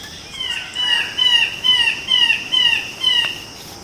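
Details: Red birds-of-paradise (Paradisaea rubra) at Raja Ampat giving a rapid series of harsh, nasal squawks, about two per second, each note slightly falling, over a steady high insect hiss.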